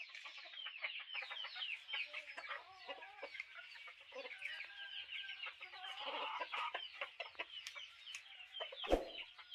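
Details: Several chickens in a group, clucking and murmuring continuously in short overlapping notes, with scattered sharp taps and one louder knock near the end.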